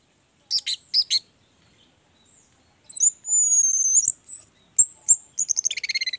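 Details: Orange-headed thrush in full 'gacor' song, used as a lure to make other orange-headed thrushes sing: two short buzzy bursts, a pause, then high thin whistles and a fast run of rapid trilled notes.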